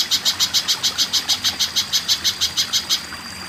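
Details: Spiderhunter chipping song from a tutor recording for caged birds: a fast, regular string of high, sharp notes, around five per second, for three seconds, then a faint thin steady tone over quiet background.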